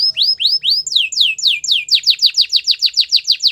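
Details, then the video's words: Belgian singing canary singing a short phrase of rising looped whistles that speed up into a quick, even run of descending sweeps, about four per second. "A special canary to seduce all the canaries - The belgian singing canary"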